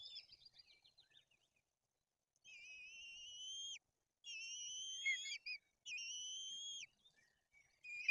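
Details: White-tailed eagle chicks in Tuchola Forest, Poland, as an adult feeds the pair fish and the older chick turns aggressive. A faint wavering trill opens, then three long, level, piping whistles follow, each about a second long.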